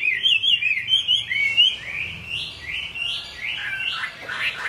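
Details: Chinese hwamei singing in the rain: rich, loud run of slurred whistled phrases, rising and falling, delivered in quick repeated bursts, with faint low background noise.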